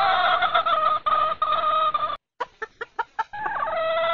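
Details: Breeding-season red junglefowl hen calling for the rooster: rapid pulsed nasal notes, a short silence, a few soft clicking taps, then the harmonic tone resumes steadily.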